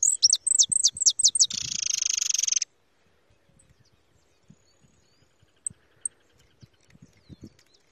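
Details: A young white European goldfinch, held in the hand in the countryside, sings six quick, high, sharply falling notes, then a dry buzzy trill of about a second, followed by silence with faint handling clicks.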